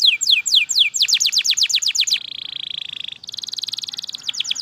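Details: Canary in long continuous song: a fast run of falling whistled slurs repeated about four per second, then a dry buzzy rattle, then a higher rapid trill with falling notes returning at the end.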